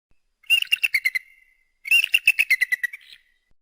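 An eagle gives two bursts of quick, high, thin chittering notes, each run of about eight to ten notes sliding slightly downward and trailing off.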